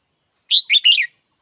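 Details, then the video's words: Red-whiskered bulbul calling a bright three-note phrase, quick chirps run together into a warbling ending, over a quiet background with a faint steady whine. "Chào mào mắt chắng"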